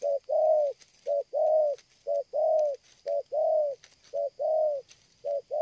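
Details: Strong, unbroken cooing of a spotted dove in a stuttering style: brief clipped note then drawn-out mellow coo, paired and repeated about once per second, with faint clicks and rustles in the background.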